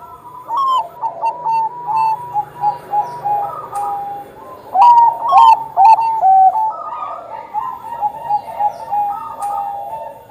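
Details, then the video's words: Vigorous Bangkok zebra dove song, a long run of rapid staccato coos in rolling phrases, some notes stepping up and down, loudest midway, with scattered clicks; recording used to encourage other Bangkok zebra doves to sing. "perkutut bangkok gacor"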